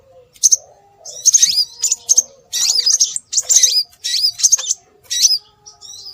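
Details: Lure recording of scarlet minivet calls: clusters of sharp, high chirps mixed with downward-curving whistled notes, in groups roughly every half second to one second. A soft lower hum runs in the background.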